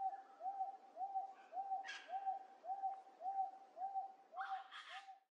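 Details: Wonga Pigeon filmed up close in late July in Wentworth Falls, Blue Mountains, New South Wales, Australia: a single clear mid-pitched note repeated steadily about twice a second throughout, with brief chirps of other birds in the background.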